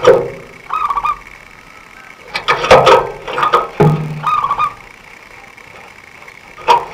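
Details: Local zebra dove, a prolific singer with a fast, tight voice, used as a lure by bird trappers; short rolling coos with staccato notes, broken by loud clattering knocks and a low thud.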